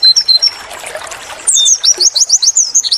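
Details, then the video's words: Short whistled pairs from a white-eye give way to a fast run of high sweeping notes, roughly five per second, in a training recording. "masteran burung pleci wit wit tulit tulit-agar cepat gacor"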